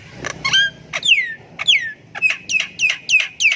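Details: Javan myna song, a lure for silent birds: a few rough notes, then falling whistles with buzzy overtones, followed by a steady run of short sharp chips repeated roughly every third of a second.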